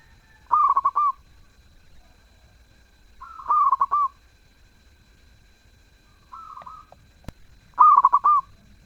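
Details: Actively singing zebra dove with a sweet voice, delivering four cooing phrases roughly every two to three seconds, three loud and rolling, one softer and shorter, with a sharp click near the end.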